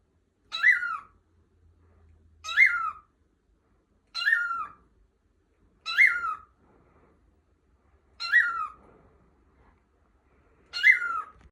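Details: Indoor lutino cockatiel playing freely on a bed upstairs, giving six short, raspy squawks in steady succession about every two seconds, each a quick bright burst with a downward tail, in a quiet room.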